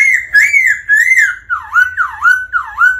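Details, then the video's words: Black-throated laughingthrush song stimulated by a rolling female call: clear whistles that arch high, then three looping notes that swoop down and back up, repeated about every half second. "Chim khướu Bạc Má hót múa tiếng mái ro ro kích tróng"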